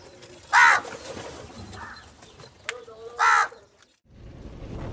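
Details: A crow, apparently calling for food in the morning, gives two harsh, hoarse caws about two and a half seconds apart, with a faint murmur of background noise between them.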